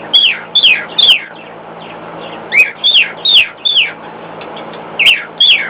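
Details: Pet cockatiel singing louder than usual in response to a hairdryer running in another room: bright downward-sliding whistled notes in short bursts of two or three, spaced by brief pauses, over a faint steady low hum.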